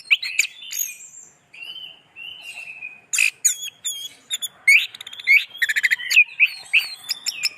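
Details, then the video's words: Orange-headed thrush singing: long level whistles give way to a busy medley of clipped chirps, rising slurs and rapid stuttering notes. "Anis Merah"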